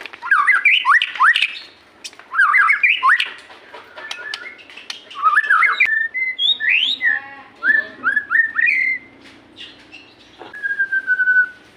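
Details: Lure song of a white-rumped shama for encouraging captive birds to sing: dense bursts of fast chattering, twisting whistled notes, then scattered upslurs and a long steady whistle near the end.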